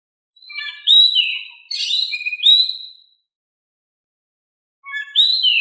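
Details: Oriental magpie-robin song meant to coax quiet birds into replying: a run of rich slurred whistles with bright high overtones, a pause of nearly two seconds, then a new whistled phrase begins.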